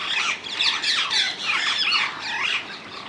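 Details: Several wild rose-ringed parakeets, Netherlands, overlapping in a loud, steady mass of harsh, rasping screeches with wavering, up-and-down shrieks.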